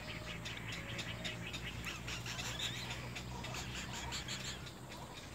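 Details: Baby little egrets fighting, with a continuous stream of rapid, scratchy chattering calls over a low steady hum.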